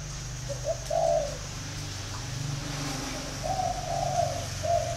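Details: Spotted dove from Ba Vì, Hanoi, Vietnam, giving soft low coos, a short phrase early and then a longer run near the end, over a steady low engine-like rumble and a faint high whine.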